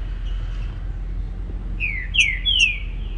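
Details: Green-winged saltator singing in the morning: three descending whistled notes near the end over steady low background noise.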